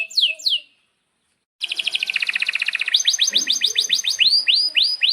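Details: Singing canary, a tutor recording for young canaries and ones that stopped singing: two quick falling whistles, a silent gap, then a dense rapid trill turning into a series of high swooping notes about four per second.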